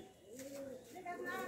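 A pigeon gives soft, low, throaty coos that swell and fade in a rounded, bubbling phrase.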